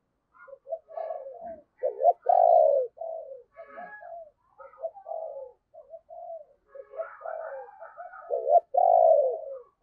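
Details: Morning calling by a decoy spotted dove luring wild birds: near-continuous run of mellow coos and short hooting notes, with loud long coos standing out near the start and end of the run.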